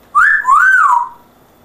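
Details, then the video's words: Pet African grey parrot with an English accent, kept indoors, giving a loud clear whistle in two linked parts: a rise and dip, then a rising and falling sweep that trails off after about a second, in a quiet room. "English Accent African Grey. Amazing voice!"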